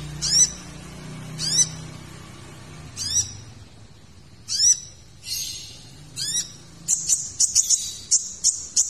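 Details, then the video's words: Kolibri ninja sunbird song for tutoring caged birds: several descending swept whistles with stacked tones, a rough buzzy burst, then a rapid run of short piercing high chips. "MASTERAN KONIN - Masteran Kolibri Ninja Isian Mewah"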